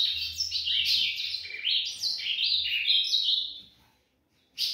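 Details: Ultramarine grosbeak singing at dawn, likely a captive bird: a rich, fast warbled phrase of sliding whistled notes running for about four seconds, then a pause and a short loud note, with faint low hum beneath.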